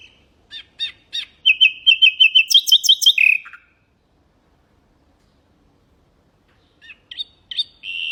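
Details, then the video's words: Nightingale singing, offered as a tutor song for goldfinches and canaries: scattered chips, then a rapid series of even repeated notes climbing into a higher, harsher trill, a silence, then fresh chipping notes. "تغريد طائر العندليب الحسنية لتعليم طيور الحسون والكناري بدون أخطاء"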